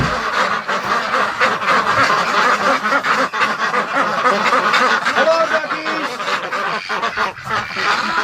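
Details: Domestic ducks shut in a barn in winter at about -28°C outside, going stir crazy with cabin fever, quack in a dense restless chorus of overlapping nasal calls, several a second, while a man talks.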